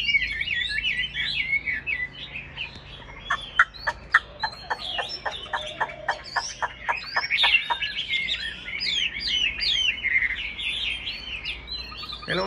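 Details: Caged Chinese hwamei sings a rich, fast run of varied whistled and slurred phrases, broken midway by a burst of sharp, rapid ticking notes.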